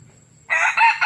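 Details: Cut-style crow from a young red junglefowl cock, Nam Som district, Udon Thani, Thailand: a brief, loud, rasping call broken into three close pulses after a moment of quiet.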